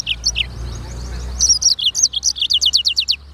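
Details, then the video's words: Song of a black-throated canary (sanger), sung constantly and recorded clearly as training material: opening high twittered notes, then a rhythmic series of around twelve bright, descending notes pulsing roughly five per second, with a low steady hum beneath. "BURUNG FINCH EDEL SANGER / BLACKTHROAT Suara Gacor Materi 100% Jernih"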